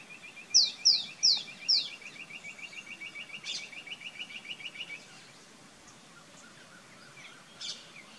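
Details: Rock bush quail (Perdicula argoondah) at a farm house in Rajasthan, India: four sharp, high, downslurred whistles over a fast, even run of thin notes lasting about four seconds, then brief rustling bursts.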